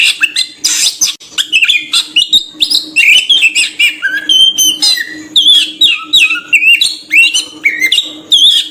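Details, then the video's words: Oriental magpie-robin lure song to attract birds: fast, varied sequence of whistled slurs, scratchy chatter and sharp chirps in short repeated phrases, with a faint steady hum beneath. "suara burung Kacer...kicau pikat terbaik...||suara pikat Kacer ||pancingan kacer"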